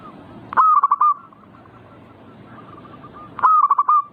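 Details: Zebra dove song meant to provoke singing: a bright, stuttering coo phrase with several rapid beats, a pause filled by faint distant cooing, then the same loud rolling phrase again.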